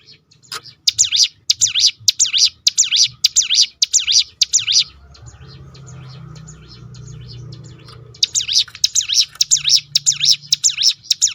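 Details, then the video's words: Fast 'tembakan' roll from a ciblek gunung prinia, used to coax other birds to sing: high, swinging up-and-down notes in quick succession, a three-second lull with low murmuring, then the roll resumes. "roll tembakan ciblek gunung memancing bunyi burung lain."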